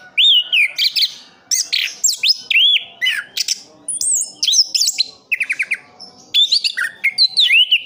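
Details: East Java orange-headed thrush, a kept bird, singing full roll: lively sequence of looping whistles, downward slurs and a quick stuttered rattle, varied phrases following one another almost without pause.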